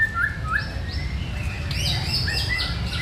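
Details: Actively singing white-rumped shama gives clear upslurred whistles, then higher sweeping whistled notes, all over a steady low hum.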